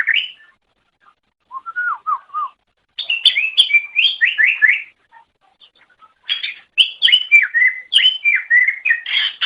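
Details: Greater green leafbird song for training pet songbirds: a few soft low whistles, then loud bursts of bright rising and falling slurred notes and quick chatter.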